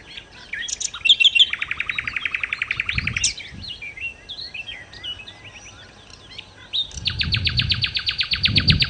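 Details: Nightingale, called sikatan londo, in full lively song for luring birds: a fast buzzy trill of rapid repeated notes, a pause of varied chirps and whistles, then another long rapid trill, with low thumps beneath.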